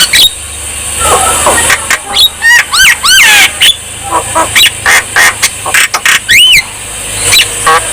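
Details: Javan myna in lively song, used to coax lazy birds into singing; harsh scratchy notes give way to looping whistled upslurs, repeated in short clusters between raspy calls.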